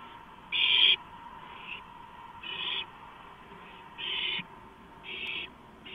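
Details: Barn owl at its nest during a gopher prey delivery, 11:43 PM on 2 April 2015, recorded by a live nest camera. Harsh, breathy hissing bursts repeat roughly every second and a half, loud ones alternating with fainter ones, over steady low background hum.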